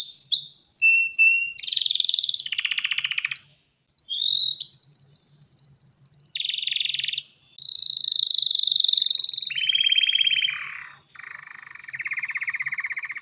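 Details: Male canary, prepared for mating, sings to lure a female: clipped whistles, then long sustained trills alternating with brief silences, some rolls buzzy and low, others high and bright.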